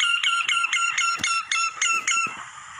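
Common myna giving a quick series of nasal, reedy notes, roughly four per second, steady in pitch; no other sounds stand out.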